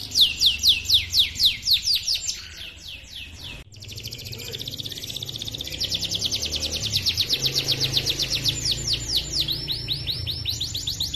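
A canary sings long rolling trills of rapid high chirps, about four notes a second, with a brief break midway and a faint low hum beneath.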